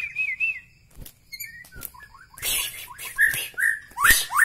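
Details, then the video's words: White-rumped shama from Medan, Bahorok: sweet fluting whistles and short slurred notes mixed with loud harsh, noisy bursts in a busy, varied phrase. "ciri ciri murai batu Medan Bahorok"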